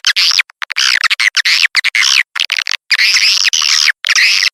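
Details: Swiftlet lure call played to attract swiftlets; dense, high twittering chirps in bursts broken by abrupt silent gaps, with no other sounds.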